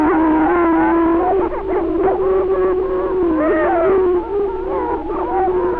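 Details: Greater prairie-chickens in Benton County, Missouri, boom in a low, hollow, steady moaning drone as a persistent male courts an unresponsive female; overlapping wavering tones above may be other birds or a soundtrack, on a 1948 recording.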